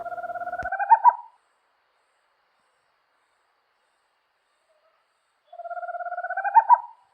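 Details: Tropical screech owl (Megascops choliba) song: two low purring trills about four seconds apart, each ending in a couple of louder accented hoots; otherwise quiet.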